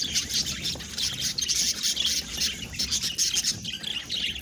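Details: Pet budgerigars, several birds, keep up an unbroken busy twittering of fast, high, rasping and squeaky notes layered over one another.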